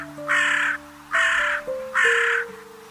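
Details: Three long, drawn-out hoarse crow caws, each nearly half a second of harsh rasping sound, with faint music tones beneath.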